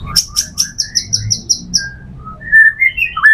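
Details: A white-rumped shama song in full repertoire, sung as a lure for other shamas: a run of sharp high ticking notes about five a second, then a pause and a few clear mid-pitched whistles, some rising.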